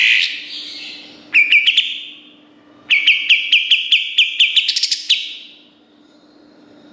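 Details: Master recording of kapas tembak song in a sharp, busy style for tutoring songbirds. Brief chirp bursts lead into an extended, fast sequence of loud, high, staccato notes that ends abruptly.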